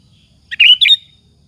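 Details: Energetic sooty-headed bulbul phrase meant to provoke rival bulbuls into responding: one short bubbly, slurred chirping phrase of two linked notes over faint low hum.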